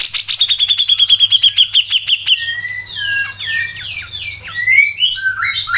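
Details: Tight, fast song of a cucak jenggot (Grey-cheeked bulbul) used to train songbirds: a rapid string of roughly twenty sharp repeated notes slowly falling, then varied rising and falling whistled phrases.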